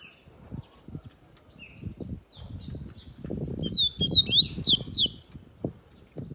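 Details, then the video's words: Yellow-bellied seedeater, known as coleiro baiano, singing a brief burst of high, sharp, rapidly repeated slurred whistles, over steady low rustling and knocking noises. "coleiro baiano"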